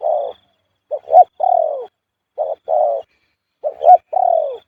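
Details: Male spotted dove cooing in the khu-ang style: three phrases, each made of short clipped hoots followed by a longer, falling, drawn-out coo, with clean silence between.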